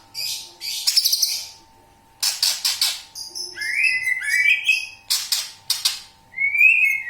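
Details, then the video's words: Greater green leafbird in long, lively song showing off its varied repertoire, played to coax other leafbirds into singing along: bursts of rapid sharp chirps, then slurred rising and falling whistles and trills, over a steady electrical hum. "cucak ijo Gacor bongkar isian durasi panjang cocok untuk memancing burung cucak ijo ikut bunyi"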